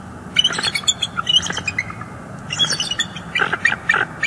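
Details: Bald eagles in northeast Florida on 18 December 2022, an adult female chasing off juveniles: dense, overlapping high squeals and harsher chattering notes, uneven and crowded, with brief gaps.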